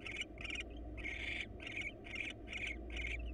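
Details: ['Barn owl pair in a wild nest box as the male hands over a mouse to the female; a quick, irregular string of short, scratchy hisses with one longer drawn-out rasp near the middle.']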